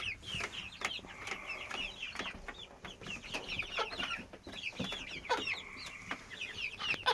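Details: Constant sound from a 10 to 12 week old hen that has not stopped since May 22, 2017, while she behaves normally otherwise: held tonal notes come and go among busy high chirping and scattered clicks.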